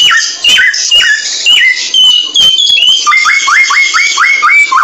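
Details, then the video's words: Singing samyong bird giving chattering high notes, then a run of six quick repeated downslurred whistles near the end, with sharp clicking sounds throughout. "Mastran burung samyong"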